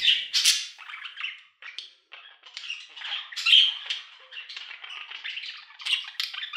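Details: Budgerigar warbling indoors: an unbroken, rambling mix of scratchy chatter, squeaks and clear whistled notes, with a few louder harsh squawks.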